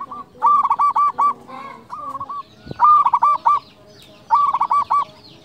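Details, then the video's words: A loud, frequently singing local zebra dove used as a lure and song tutor for other doves. It gives repeated phrases of quick, bouncing, pulsed coos, each lasting about a second, with gaps of roughly two seconds between them. "PERKUTUT LOKAL GACOR SUARA BESAR"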